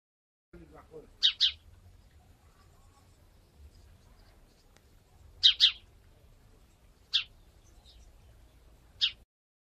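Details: House sparrows in the Wittlich valley, Germany, recorded in 2017: short, bright chirps, mostly in quick pairs, sounding four times at uneven gaps over ten seconds, with a low rumble and a few soft clicks underneath.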